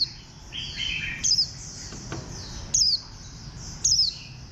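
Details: A khuyên xanh, or green white-eye, of bantam-like shape, bird 04, gives three short descending twittered phrases, spaced about a second and a half apart, over a background of softer high chirps.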